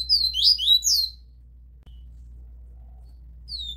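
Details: Double-collared seedeater song of the TUI TUI ZEL ZEL style, recorded live for tutoring young birds: a few sweeping high whistled notes, then a quiet stretch with low hum, and one more note at the end.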